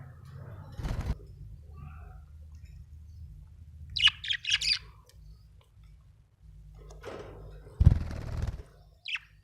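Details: Happy budgerigar chirping over a steady low hum: a cluster of bright rapid chirps midway, scratchy broadband bursts before and after, and one short high squeak at the end.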